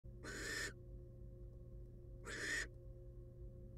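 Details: Wild female barn owl in a nest box, back on her eggs after eating a whole rat, gives two harsh, breathy hissing screeches about two seconds apart over a steady low electrical hum.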